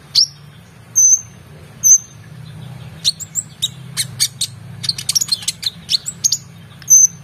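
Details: Brown-throated sunbird in lively song used for training contest birds: a few drawn-out piercing whistles about a second apart, then a flurry of sharp high chips and twitters, ending with another whistle.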